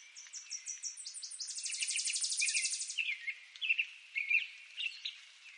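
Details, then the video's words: Northern waterthrush song of quick, emphatic high chips rising into a dense rapid trill, followed by several spaced, lower chirping notes from a bird nearby. "Northern Waterthrush Bird Song"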